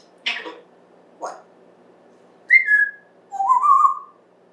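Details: Pet African grey parrot talking indoors, September 2024: two brief voiced word-like sounds followed by a falling whistle and a longer, rising, wavering whistle, each lasting under a second.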